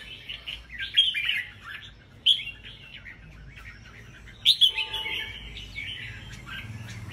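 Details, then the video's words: Red-whiskered bulbuls kept in cages sing at a competition. Quick, chattering warbles are broken by a few sharp, loud whistled notes. A softer, drawn-out warble fades at the end. "Chào mào bông siêu ché đấu giàn hàng thi thố"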